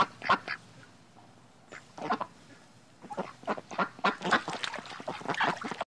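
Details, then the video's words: A duck quacks loudly in rapid harsh runs, a short pair at first, then after a pause a fast, uneven string of nasal quacks that grows busier toward the end. "quacking sound of duck"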